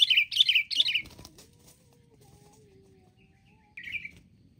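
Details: Wild sooty-headed bulbuls ganging up to attack; three loud, harsh, buzzy chattering notes in quick succession, then a thin faint whistle sliding down, and one more harsh burst near the end over a low hum.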